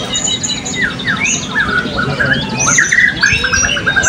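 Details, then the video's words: Blue-crowned hanging parrot in an open songbird singing and style competition held in Balingian in 2024. Many birds are calling together, with quick chirps, short squawks and thin high whistled notes. A murmur of people is heard underneath. "Burung Serindit B - Pertandingan Seni Suara dan Gaya Burung Berkicau Terbuka 2024 Balingian"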